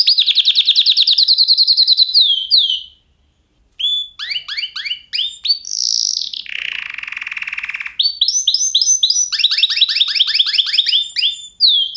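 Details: Canary song: rapid trills and rolled tours around high pitch, a pause, then a buzzy lower rolling section and bright repeated upslurred notes, fast and varied throughout.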